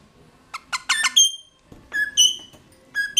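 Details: Caged mulga parrots recorded at 09:28 on 18 November 2014 with a GoPro Hero 3+ inside their cage; a few quick stuttering notes lead into clear, ringing whistles, falling then rising, with short pauses between phrases.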